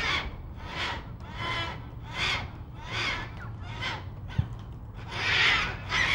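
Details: Black cockatoos calling at Nerrina, Victoria, in 1999, giving a series of about seven rasping, wailing screeches spaced under a second apart, with a low background hum and one sharp knock midway.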